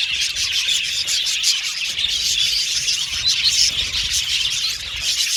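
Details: Many budgerigars chirping together in an aviary colony, a thick overlapping layer of shrill twittering with a few brief whistled notes standing out above it.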